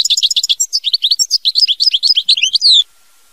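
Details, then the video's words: European goldfinch singing the mama binette style: a continuous, loud, fast stream of bright twittering notes, many sweeping down, mixing trills and liquid chirps for nearly three seconds before stopping abruptly. "Chant Chardonneret mama binette"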